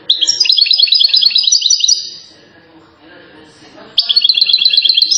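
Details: European goldfinch singing, from Settat, Morocco, hailed as a rare recording of a top songster: fast twittering trills of clipped high notes, a pause with faint background murmur, then another quick rippling trill.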